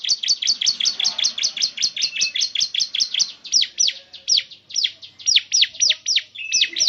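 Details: Bar-winged prinia song played to get a caged bird singing: rapid repeated high chirps flowing into longer, downward-swept notes in uneven runs.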